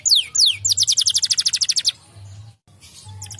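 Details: Canary singing straight back on hearing another canary: two swooping descending whistles, then a rapid high trill of evenly spaced notes that stops abruptly, followed by quieter faint notes.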